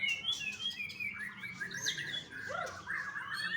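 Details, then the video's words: Young white-rumped shama from a bird farm in Bali: varied rich whistled phrases, sliding and warbling, with high thin notes over steady mid-pitched whistles, singing continuously. "MURAI BATU MUDA"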